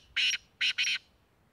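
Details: Black francolin (kala teetar) in Tank, Khyber Pakhtunkhwa, Pakistan, uttering three quick harsh, grating notes, the last two close together, in a short burst against a quiet background.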